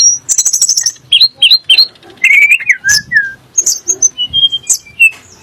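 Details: Sunda blue robin singing, a song meant to provoke magpie robins and shamas: rapid high trill, then clear downslurred whistles repeated three times, a low warbled phrase and scattered sharp chirps.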